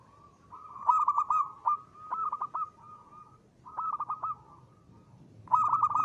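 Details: Zebra dove, a local bird singing loudly for use as a decoy, gives purring coos interrupted by fast clipped staccato notes in four separate bursts, with quiet gaps between phrases.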